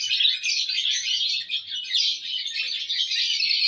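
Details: Unbroken high, buzzy twittering from lovebirds in a happy mood on June 1, 2022, a dense, even stream of squeaky chirps.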